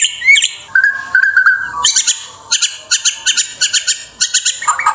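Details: Indonesian white-rumped shama singing: a short high slur and a level mid-pitched whistle, then a long string of crisp repeated high chips in small clusters, ending with a lower twittering phrase.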